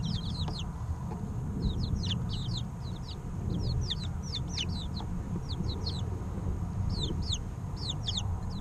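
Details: Three-week-old chicken chicks recorded to help button quail eggs hatch: many thin, high descending peeps in scattered clusters over a steady low rumble.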